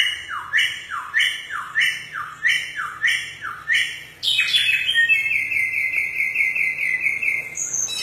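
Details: Samyong in the forest repeating clear downward-sweeping whistles about every 0.6 seconds, then switching to a sustained, high, buzzy trill.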